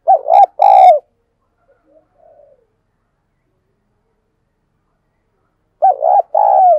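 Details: Lure spotted dove in full urging call: a strong two-note coo phrase opens, a faint soft note follows, then after a long pause the same loud double coo returns, a rolling lower note after a brief first one.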